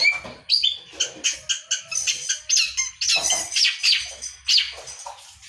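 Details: Long-tailed shrike in full song, a rapid run of harsh, scratchy chattering notes and squawks mixed with brief whistles, repeated several times a second, used to get other birds singing.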